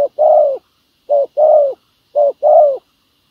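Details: Three cooing phrases from a spotted dove at a decoy trapping site. Each is a quick low note then a fuller, slightly falling coo, the phrases spaced about a second apart in quiet surroundings.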